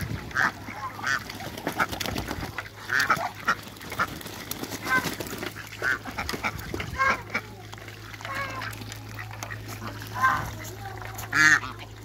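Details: African geese playing in backyard water alongside Muscovy ducks; scattered loud nasal honks with bright harmonics, some in short bursts, the strongest near the end, over a constant low hum and splashing.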